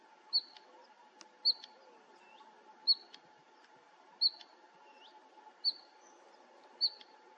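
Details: Bluethroat song recorded in 2021 at Fokstumyr nature reserve: bright, clipped high notes given at uneven gaps of one to one and a half seconds, a few soft ticks between them, with a constant low hum behind.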